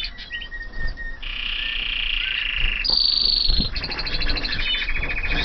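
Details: Canaries from 2014 in a flight aviary singing long sustained rolling trills that shift pitch between tours, a steady buzzy roll followed by higher rapid pulsed phrases, over low background rumble.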